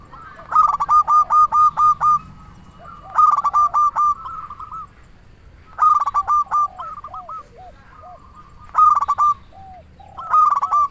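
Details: Local zebra dove singing, used as a lure to prompt other doves to sing and raise breeding drive. Phrases come about every three seconds: a burst of clipped, harmonic-rich notes followed by softer rolling coos, over low background hum.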